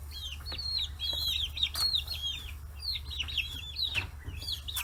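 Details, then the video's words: Free-range chicks, 40 days old, swarm over fish heads in Kitahiroshima, Hiroshima. Their piercing chirps come in rapid strings, several birds calling at once, with a few clicks and a faint hum. "生後40日 魚頭に群がる中雛！chicks chirping sounds"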